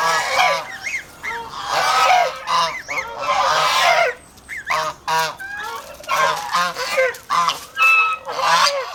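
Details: A protective flock of farm geese in the Philippines honks loudly in choppy, overlapping bursts, broken by a short lull near the middle before the harsh calling resumes.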